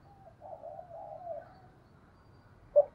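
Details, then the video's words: Spotted dove cooing to lure wild doves: low, soft, drawn-out coos for about a second and a half, then quiet, ending with a sharp brief knock. "Chim cu gáy gọi bổi/ tieng cu gay kich boi nhanh noi"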